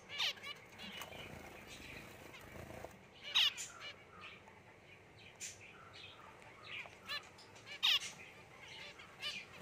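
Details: Zebra finches, a white pair with babies leaving the nest, give short, sharp, high chirps scattered irregularly against a soft background hiss.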